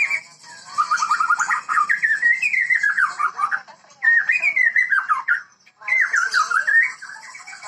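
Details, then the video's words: White-rumped shama, Medan type, from a breeding setting, in lively gacor song: long flowing whistled phrases with rapid trills and wavering slurs, in three bursts separated by short gaps. "Burung muray gacor muray medan"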